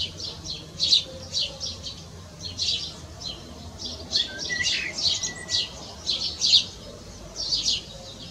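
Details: Eurasian blackbird singing its calm evening song from a rooftop, with another answering like an echo in the distance; high twittering phrases in bursts every second or so, a few lower whistled notes between them, steady faint background hiss.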